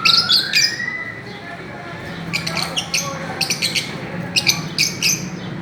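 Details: Fischer's lovebirds on a swing chirp busily, with an opening burst of bright high notes and a smooth rising whistle, then rapid clipped chirps repeating several times a second.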